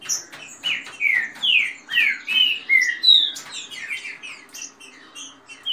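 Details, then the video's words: Green-winged saltators, males competing, sing a rapid run of rich, slurred whistles rising and falling two or three a second, with thinner higher notes overlapping, likely more than one bird, including female-type chatter. "trinca ferro canto rápido com macheado de fêmea e canto de chuva"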